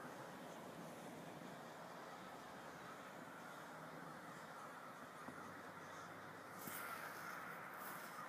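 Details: Crows swarming over a local mall, many birds calling at once: a dense, continuous wash of overlapping rough caws with no single bird standing out, and a brief sharp noise near the end.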